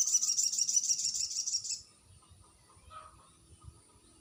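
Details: Sogon, the crested jay, played as a lure to provoke silent birds into replying: a dense, high, buzzy rattle of fast even pulses for nearly two seconds, followed by a faint short note.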